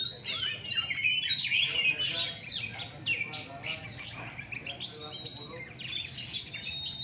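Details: Oriental magpie-robins (kacer) at a Surabaya night singing contest on the gantangan deliver quick-fire high whistles and sweeping slurs, several birds overlapping in a busy, steady chorus with faint crowd noise beneath.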